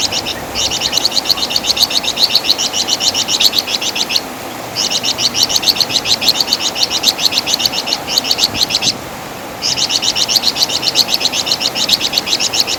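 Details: Flamboyan bird, known in West Java as Wergan Jawa, giving its loud, distinctive chattering song used as master material for training songbirds: rapid hooked, high notes repeated about four per second in long bursts separated by short pauses.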